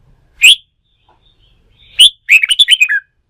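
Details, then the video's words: Red-whiskered bulbul urged to sing for song-fighting practice: one loud sharp whistle, a pause, another, then a rapid rolling string of bright, slurred notes falling at the end. "Kích chào mào bổi bổi lên lửa, luyện chim hót đấu"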